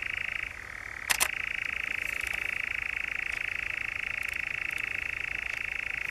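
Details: European nightjar in the Brecks, Norfolk, in July, churring in a fast dry rattle that shifts pitch briefly near the start, with a few short sharp clicks and taps along the way.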